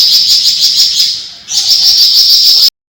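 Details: Rapid, high-pitched besetan twitter from a flamboyan, the Javan fulvetta: a dense chattering stream, a brief dip in the middle, then a second stretch that stops abruptly.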